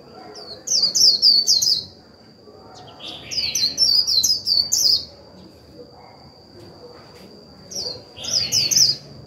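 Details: Caged Japanese white-eye used as a lure bird to stir other birds to sing, giving three bursts of rapid, high, twittering notes, each about a second long with pauses between, over a steady thin whine and faint background noise.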